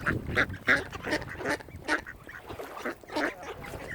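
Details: Mute swans at Oxford Island Nature Reserve, Kinnego Bay, Lough Neagh, County Armagh, Northern Ireland, give hoarse, nasal honks and snorts, several overlapping in quick, uneven bursts about three a second, with faint background murmur.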